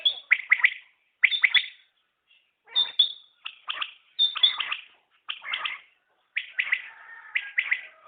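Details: Common quail, known locally as batair, calling: sharp, buzzy notes in groups of two or three, each burst about a second apart, with short silent gaps between phrases.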